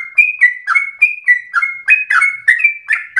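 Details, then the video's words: Sooty-headed bulbul in persistent, rapid-fire, agitated singing used to stimulate and tutor other birds: quick chirpy notes alternating between higher sliding whistles and lower buzzy bursts, about four per second, with sharp clicks between. "Trucukan gacor ropel ngotot narung emosi TERBAIK untuk pancingan sekaligus masteran"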